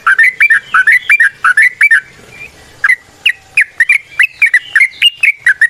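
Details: Sooty-headed bulbul song played as a lure: a chain of bubbly, up-and-down whistled notes, about three per second, with a short pause near the middle.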